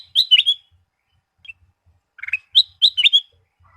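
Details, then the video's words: Sooty-headed bulbul song used as a lure to draw singing from kept birds: short bright chirping phrases in two bursts separated by a quiet gap, with a lower bubbly note between them. The background is clean. "Suara Pancingan Burung Kutilang Emas Full Variasi"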